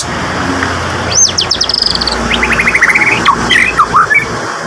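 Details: Worked-up white-rumped shama wanting to face a rival: a fast series of high clipped notes, then a descending run of rapid chirps and looping whistled slurs, over steady broadband background hiss.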